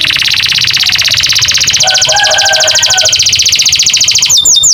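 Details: American canary singing a long, fast, even trill of rapidly repeated high notes that holds steady for about four seconds, then breaks into a few looping, swept whistles; faint low background noise.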